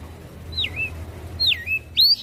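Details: Javan grey-throated white-eye in full song, said to provoke other birds into singing: three clear whistled phrases, each a falling then rising slur, spaced about a second apart, over a low background hum.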